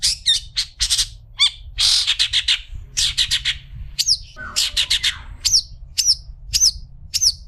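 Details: Long-tailed shrike suited for tutoring other shrikes: quick scratchy chatter and buzzy bursts at first, then a string of sharp, down-slurred whistled notes about every half second; steady low hum.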